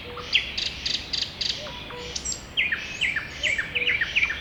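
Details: Springtime woodland dawn-chorus feel: lively trilled and down-slurred chirping phrases from several birds, with a low hollow repeated note sounding about every half second underneath.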